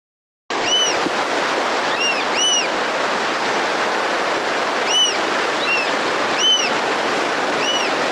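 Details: Recording of a Black Oystercatcher on the Santa Barbara county coast giving loud, piercing whistled wheeps, singly and in quick pairs, about six in eight seconds, over steady roaring surf.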